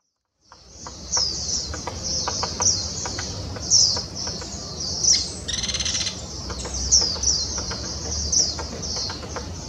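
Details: Grey-capped pygmy woodpecker recorded in Taiwan in 2016, giving high, squeaky buzzy notes in quick series, several overlapping, with soft ticking clicks and a brief burst of broadband noise midway.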